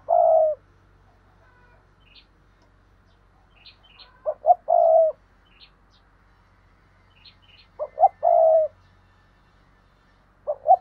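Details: Spotted dove kept as a decoy, repeating its luring phrase roughly every four seconds: short hoots then a long low coo with a clipped ending, while small birds chirp faintly between phrases.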